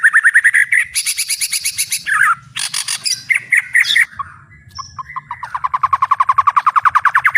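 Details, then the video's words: A white-rumped shama described as in full song with a fighter temperament pours out a loud, varied, full-volume song: fast rolling trills, sharp high buzzy bursts and rapid repeated whistled notes, several per second. "MURAI BATU BUKA PARUH VOLUME PENUH POWER💥 SHAMA BIRD"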